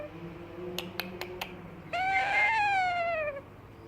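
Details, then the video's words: Four quick clicks, then a young yellow ringneck parakeet gives a long meow imitation that swells and slowly falls in pitch over about a second and a half. "Ringneck Parot moaning like a cat"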